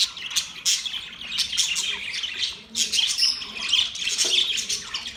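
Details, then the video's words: Several budgerigars making happy sounds, a dense, busy chatter of high, bright chirps and short squawky notes that overlap almost without pause, with slight dips in loudness between bursts. "Budgies birds chirping sounds"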